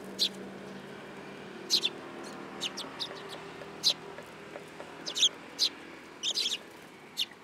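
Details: Several sparrows at a Tenmangu shrine, 8 July 2022, perching on a person's hand; scattered sharp chirps, some doubled, spaced irregularly with gaps of up to a second and a half, over a faint low hum.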